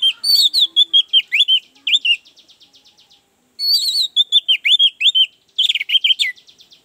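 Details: Song of an Orange-headed thrush, offered to coax a quiet bird into full song: two vigorous phrases of rapid looping whistled notes, each trailing into soft quick ticking, the second ending in an emphatic flourish.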